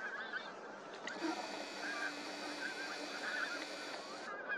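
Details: Pink-footed geese at Starene in 2023: a steady chorus of overlapping honking calls from several birds at once, with constant background hiss throughout.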